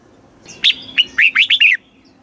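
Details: Caged red-whiskered bulbul from Thailand singing in the southern master style, used to excite other birds and teach young ones: one brisk phrase of five loud, clear whistled notes, the first rising and the last falling, over a faint low hum.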